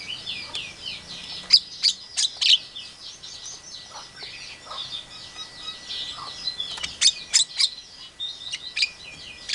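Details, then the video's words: Javan myna imitating a hen calling chicks, Asian pied starling calls and a hungry civet: a steady high chatter of twittering notes runs throughout, broken by sharp loud click-like chirps in clusters at about two and seven seconds. "Suara jalak kebo pintar meniru suara Memanggil anak Ayam, suara jalak suren, suara musang lagi lapar"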